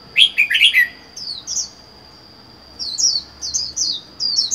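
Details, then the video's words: Red-whiskered bulbul living alone in a cage, caught wild four months earlier, sings a quick run of bright warbled notes, then after a pause several short rising-and-falling whistled phrases, with a constant faint high-pitched whine behind. "Chào mào một mình một nhà có thể căng được không?"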